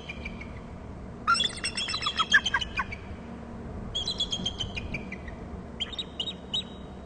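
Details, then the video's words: Nest-territory Bald eagle on Hornby Island, picked up by a fixed camera: a loud run of fast, piercing chirped notes, then two shorter bouts of high chittering, over a constant low background rumble. "eagle to ulb bst and calls from gregg's"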